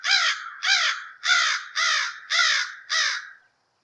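American Crow giving six harsh, nasal caws in a steady series, about one every half second, then stopping; nothing else audible.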